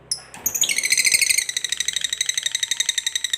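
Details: Lovebird in fighter form giving a long 'ngekek panjang' chatter: a sharp opening chirp, then a high, rapid, buzzy trill of evenly pulsed notes running unbroken for about three seconds.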